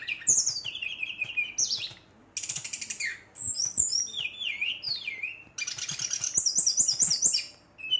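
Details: Brown-chested jungle flycatcher pours out a rolling rival-provoking song of falling whistled slurs and dense scratchy high passages, ending on a quick series of repeated high notes.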